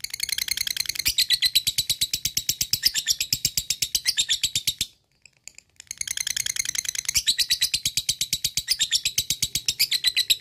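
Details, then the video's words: Lovebird ngekek panjang meant to fire up other lovebirds: two long bursts of fast, harsh, high chatter separated by about a second of silence, each sustained at a steady rapid pace. "Pendongkrak mental lovebird cepat naik EMOSI dan langsung jadi ngekek panjang berkat lovebird ini"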